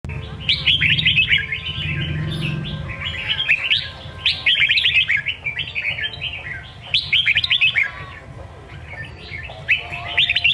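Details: Red-whiskered bulbul singing in the songkon style: bursts of bright, warbled, rapidly slurred phrases, each about a second long, repeated with short pauses and backed by a steady low hum.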